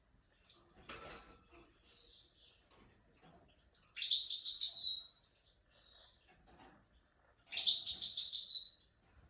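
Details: Goldfinch singing, meant for teaching young goldfinches and mules: two loud, fast, buzzy twittering phrases of about a second each, separated by softer thin notes and chirps.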